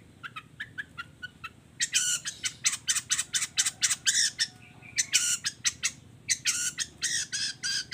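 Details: Long-tailed shrike training recording with fill-in phrases: soft clicking notes build into a loud, rapid, harsh chattering, broken by short pauses.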